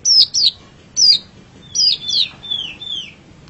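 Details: Long-tailed shrike singing, a recording for training songbirds: high whistled notes with sliding downward slurs, some doubled, in irregular short phrases.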